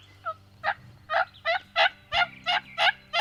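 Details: Wild Turkey heard on a spring hunting morning with toms and jakes about: eight loud, hoarse, evenly spaced notes, roughly three per second, building in strength over a faint low hum.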